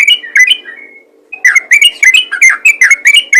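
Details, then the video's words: Yellow-vented bulbul giving a call in the ropel ngalas style, used to call other bulbuls: bright, chirpy notes in two short runs separated by a brief pause, the second run of rapid repeated notes about four per second. "PANGGILAN BURUNG TRUCUKAN ROPEL NGALAS"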